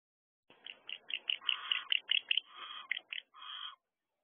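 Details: Barn owl in a nest box at 1:13 am on 5 December 2023, as one owl returns to the box where another is waiting: a rapid series of harsh, raspy chittering notes, some stretched into longer wheezy rasps.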